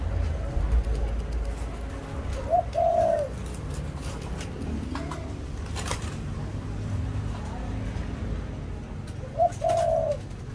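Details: A tame captive spotted dove with a clear voice, filmed on the evening of 12 November 2021, gives two short, throaty coo phrases of a few soft notes each, about seven seconds apart, over a low steady rumble.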